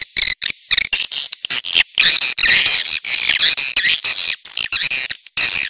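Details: Swiftlet call used to attract swiftlets, a busy mix of sharp clicks and twittering chirps over a continuous high-pitched whistle, nearly without pause.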